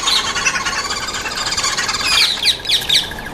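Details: Noisy green wood hoopoes at a feeding table giving loud, harsh cackling chatter, continuous and raspy, with sharp high squeaky notes near the end.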